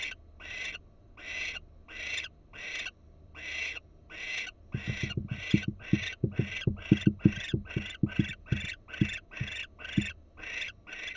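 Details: At a Florida barn owl nest camera, a wild female sits alert as steady raspy hisses pulse at a regular beat, quickening in the second half, over a string of dull scraping knocks.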